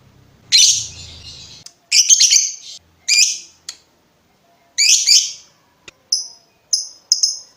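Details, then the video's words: Lovebird calls for tutoring other birds: several harsh, scratchy high bursts, then three short clean chips; a faint low rumble at the start. "SUARA BURUNG LOVEBIRD NGETIK NGEKEK PANJANG COCOK UNTUK MASTERAN"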